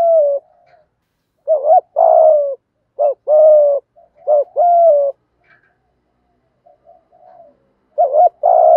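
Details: Spotted dove 'thúc gù' cooing, 'giọng thổ' style, used for stimulating birds in training: several short-plus-long coo pairs in quick succession, then a pause with soft low murmurs before another pair.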